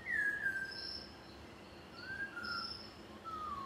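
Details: Malabar whistling thrush at Munnar in the Western Ghats, Kerala, giving clear, human-like whistles, each a slurred falling or rising note, three phrases in under four seconds, with higher thin notes behind.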